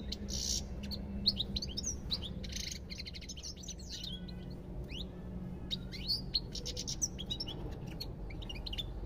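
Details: Energetic European goldfinch song of rapid twitters mixed with buzzy, rasping phrases and bright chirps, continuing unbroken over low background noise.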